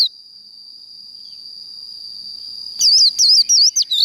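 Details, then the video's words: Japanese white-eye 'líu đấu' fighting song: after almost three seconds of a steady thin high whine, a quick sequence of sharp, high, twisting chirps bursts out. "Vành khuyên líu đấu"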